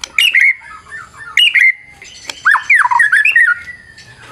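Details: White-rumped shama singing a lure song in a fighter style with full variation: harsh squawky bursts mixed with whistled notes sliding down around mid pitch, short pauses between phrases, with a faint low hum behind.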